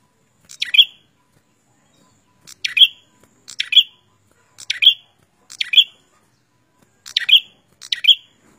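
A prinia gives seven short, sharp chirps, each a quick high sweep ending in a buzzy note, spaced one to two seconds apart against a quiet background.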